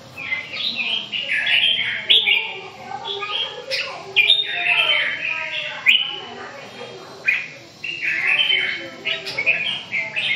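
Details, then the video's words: Red-whiskered bulbul giving repeated chirpy warbled phrases, each short and lilting, with sharp clicks and a busy, slightly noisy background. "Kênh về chim Chào mào"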